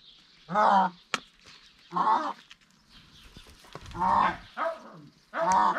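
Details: Indian peafowl at a house where peacocks are kept, giving loud harmonic wailing calls in four separate bursts, each under half a second, spaced about 1.5 seconds apart, with clicks and soft noise between.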